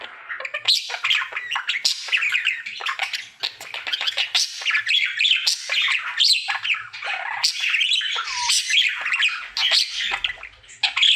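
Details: Male pet budgie in his cheerful daily song: dense, scratchy chattering mixed with sharp squeaks and short whistled notes, running steadily with only brief dips in loudness.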